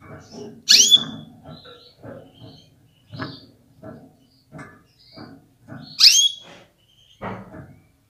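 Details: Calling female canary urging males to get ready and sing forcefully; two piercing downward-sweeping chirps ending in a brief steady tone, about five seconds apart, over repeated low thumps and rustling.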